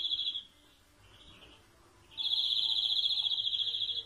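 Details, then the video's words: Short trill, quiet twittering, then a long, steady, fast-pulsed rolling trill from a European greenfinch. "Greenfinch Song"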